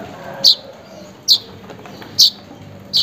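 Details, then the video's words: Calling weaver seeking a rival or mate, a lure for a weaver gone quiet: four bright, high chip notes spaced nearly a second apart against faint background noise. "burung manyar memanggil lawan/kawan"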